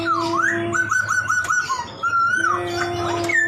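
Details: Poksay laughingthrush singing actively in a full, varied song: loud whistled notes sliding up and down, a run of short repeated rising whistles, then a long falling glide, over a steady low background hum.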